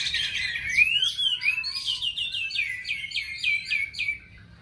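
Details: Oriental magpie-robin singing in a contest alongside bulbuls, laughingthrushes and doves in Vietnam: a few sweeping whistles lead into a fast run of sharp, repeated chirping notes, about four per second, with other birdsong faintly behind.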